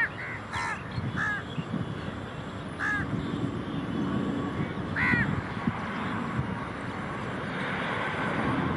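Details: A large-billed crow in Rajarhat, Kolkata, West Bengal, on 23 Sep 2019 gives four hoarse, nasal caws at uneven intervals, over a steady low rumble like distant traffic or an aircraft.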